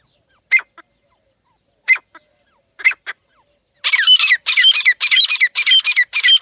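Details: A pair of partridges (teetar) calling: three short harsh notes spaced a second or more apart, followed by a dense, continuous run of loud, squeaky, chattering calls.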